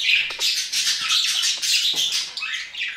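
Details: Dense, unbroken budgerigar warble: scratchy, high chirps blending into a steady twittering stream with brief whistled peaks.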